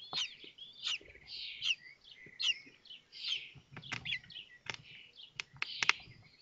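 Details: Kestrel chicks in a nest at Théding, France, in May 2024 during feeding while a sibling hatches; irregular chittering high calls, roughly seventy bursts a minute, mixed with sharp clicking knocks.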